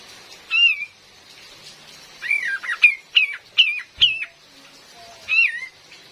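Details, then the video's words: Cream-vented bulbul female, recorded as a lure for trapping in forest: an opening slurred whistle, a close cluster of five or six downslurred chirps, then one final wavering whistle after a pause. "SUARA ASLI KAPAS TEMBAK BETINA"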